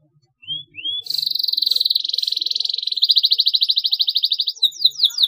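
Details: Canary chirping, used as a lure to get young canaries chirping: two short rising whistles, then a long fast buzzy trill that shifts into a rapid pulsed roll and ends in quick rising notes.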